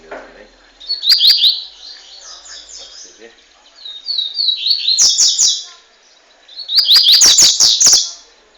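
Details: Double-collared seedeater, a male fifteen months old from Montanha, Espírito Santo, Brazil, noted for strong, fast song: three bursts of rapid, high buzzy notes, each lasting about a second and a half, with sharp clicks between phrases.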